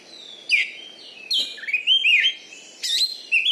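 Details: Champion Oriental magpie-robin (kacer) kept caged in Bengkulu, known for loud singing and fighting style. Bold sweeping whistles and quick slurred warbles in three punchy phrases with brief gaps.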